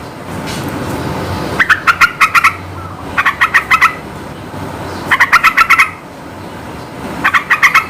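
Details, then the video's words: Lively yellow-vented bulbul song for provoking silent birds into singing, delivered as four bubbly phrases of rapid, liquid, warbling notes separated by brief gaps over a low background hum. "Suara burung trucukan gacor nembak ngebren memikat emosi trucuk bahan bakalan macet biar cepat nyaut"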